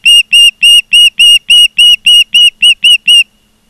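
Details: A steady, evenly spaced series of about thirteen loud whistled chirps, roughly four per second, from an osprey at a nest in Charlo, Montana, recorded 16 September 2023 at 16:05, then quiet.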